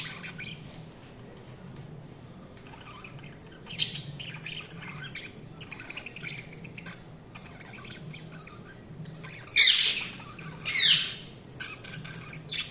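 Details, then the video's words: Budgerigars chirping: quiet, scattered high chirps over a low hum, then two loud, sharp, rising squawky chirps near the end. "Budgies Chirping sound"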